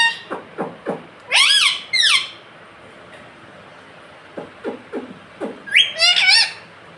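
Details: Pet parrot talking in short bursts: two bright, wavering high phrases early on and a cluster of rapid rising syllables near the end, mixed with softer low clicks and indoor background.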